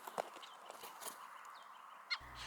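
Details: A Gray Jay, visiting with its mate in nesting season, gives two short, harsh calls, one near the start and a brighter, ringing one near the end, over faint outdoor hiss and a brief low hum.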